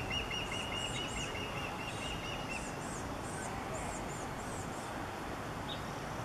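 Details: Female osprey calling to her chick on 05/28/21, drawing it closer: a quick series of sharp, high, repeated chirps lasting a couple of seconds, then fading, while other high arched bird notes continue over steady outdoor noise.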